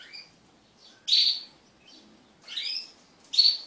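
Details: Crested canaries kept as pets and mating, giving a few faint chirps then three loud, bright chirp bursts about a second apart.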